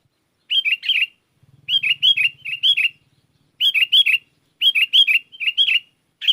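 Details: Sooty-headed bulbul singing to attract answering wild bulbuls; groups of two to four bright, slurred chirps with gaps between, and a soft low buzzing hum early on.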